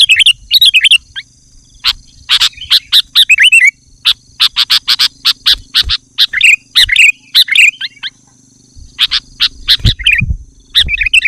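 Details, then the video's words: Sooty-headed bulbul in dense, loud song used to attract wild birds and provoke other males: fast runs of sharp chips and bubbly warbled phrases, a pause near eight seconds, then more phrases. "Suara Burung Kutilang Gacor Rapat dan Lantang Menekan Lawan Kutilang lain Langsung ikut gacor"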